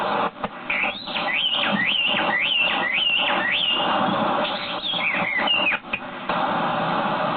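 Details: Chinese hwamei singing on a dead tree, repeating a slurred whistled phrase about twice a second that rises then drops, followed by varied twisting whistles, with steady background hiss.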